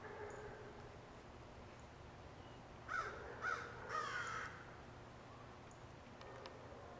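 A crow gives three harsh, hoarse caws in quick succession, about half a second apart, the last one drawn out, over a quiet outdoor background.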